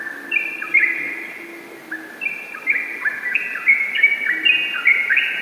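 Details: Yellow-vented bulbul in gacor ropel song, quick slurred whistles opening the phrase, a brief dip, then a dense overlapping run of bubbly rising notes.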